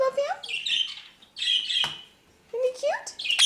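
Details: A pet cockatoo at breakfast, with a ringneck parrot and a cockatiel nearby while food is prepared, gives loud, raspy, buzzy squawks with rising, speech-like inflections in three bursts in a small indoor room.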